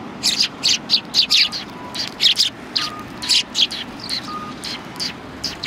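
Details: Sparrows gathered on a bench at a Tenmangu shrine on January 21, 2020, giving bright, sharp chirps in loose bursts about once a second, with a few faint thin tonal notes between them.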